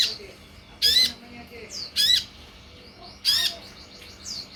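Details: Lure recording of a sunbird to make others reply: strong rasping, buzzy bursts about every second, separated by soft, high, slurred chirps and brief thin whistles.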